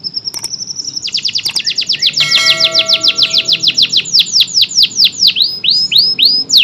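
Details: Local-type canary, described as an energetic singer, delivering a varied song: a sustained high whistle, then rapid trills of downward-sweeping notes, a brief buzzy stretch, and slower repeated descending whistled phrases.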